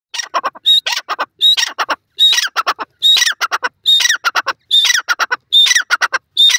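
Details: Grey francolin, known locally as shesha teetar, calling in the wild in Pakistan: loud, harsh, ringing notes in rapid clusters, each burst opening with a short clear whistle and followed by stacked rasping syllables, repeating steadily about every second.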